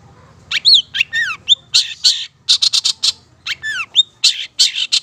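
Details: Madura Long-tailed Shrike in full energetic song used as a training recording: sharp whistled downward slurs and clipped notes alternating with rough, noisy bursts in fast, irregular sequence.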